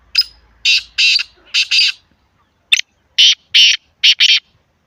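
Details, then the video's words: Grey francolin (teetar) calling, recorded in Islamabad to train non-calling birds: rasping, explosive notes grouped in twos and threes with short pauses between groups, loud and close, no other sounds. "Teetar ki Awaaz"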